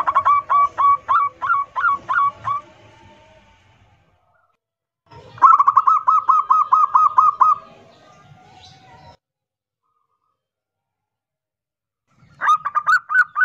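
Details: Local zebra dove (perkutut) singing a loud 'kerot nguwor' style song used as a lure to make other doves sing: three bursts of rapid, evenly repeated mellow cooing notes, each burst of about seven to nine notes, separated by quiet pauses.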